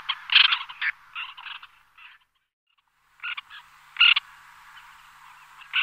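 White-winged Tern giving harsh, grating calls in short bursts, a pause of about a second, then more rasping notes.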